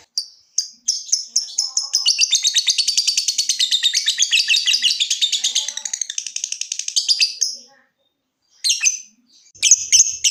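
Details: Lovebird in a long rapid trill: fast, evenly repeated high chattering notes running about six seconds, then a pause and a few short sharp chirps. Used to prompt other lovebirds to trill.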